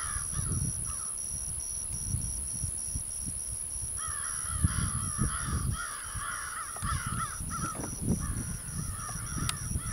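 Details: American crows in soaring flight: brief caws at first, then a dense stretch of rasping, repeated caws midway, all over gusty low-pitched wind.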